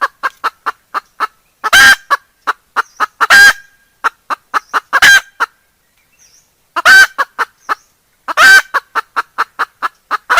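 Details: Decoy hen cackling to lure other birds: a run of short, evenly spaced clucks broken every one to two seconds by a loud, harsh, drawn-out squawk, then more clucks. Four squawks in all.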